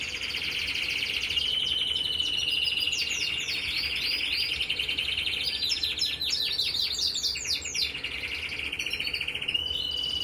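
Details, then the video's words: Red mosaic and red agate mosaic canaries singing: a continuous, high, rolling song of fast trills and bright up-and-down sweeps, with phrases changing every second or two, over a faint background hum. "red mosaic and red Agate mosaic canary singing"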